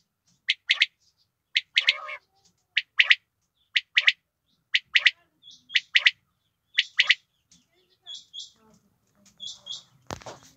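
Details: Female quail calling, short bright double notes repeated about once a second, each pair sharp and chirpy, with fainter high clipped notes from another caller later and a sharp click at the end.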